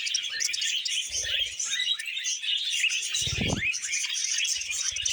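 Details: Several pet budgerigars sing while eating vegetables: a dense, continuous chattering warble of high squeaks and chirps, with short low-pitched rasping bursts around one and three seconds.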